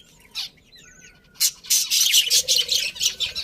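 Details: A colony of happy budgerigars gives dense, scratchy high chirps, starting with a few scattered notes and then a busy overlapping burst of rapid chatter, with one thin steady whistle in the background.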